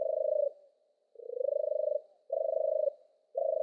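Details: European turtle dove giving four deep purred notes, the second longer and rising slightly, spaced by short gaps; clear and isolated.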